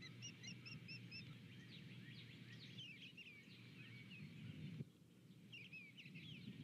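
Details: Osprey pair reaching their nest in unison, early morning of 12 February 2020, nest camera; evenly spaced whistled chirps give way to a jumble of wavering, squealing whistles, with a steady low hum beneath.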